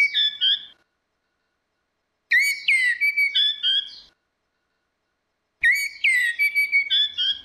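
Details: Orange-headed thrush, female against male, used as a lure: three whistled bursts of varied, rapidly changing notes, with sharp upward slurs and trills, separated by silent pauses.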